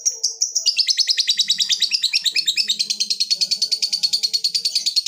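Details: Lovebird giving a long ngekek trill as it calls a rival, starting with a few separate high notes then breaking into a dense, fast, chattering run that continues steadily.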